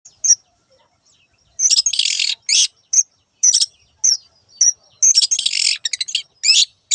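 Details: Long-tailed shrike song, rendered locally as "teot teot": harsh, buzzy high bursts and sharp chirps in irregular clusters, separated by short silences.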